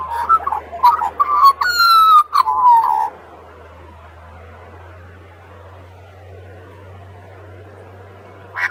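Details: Australian magpie carolling by the sea, a three-second burst of mellow, yodelling notes ending in a long descending slur, then steady low rumble of wind or surf with no birdsong.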